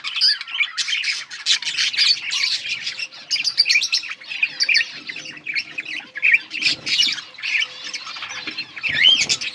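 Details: Several yellow budgerigars chattering for lonely birds: rapid scratchy warbling, squawky notes and looping whistled squeaks, steady throughout with a faint repeated low tone beneath.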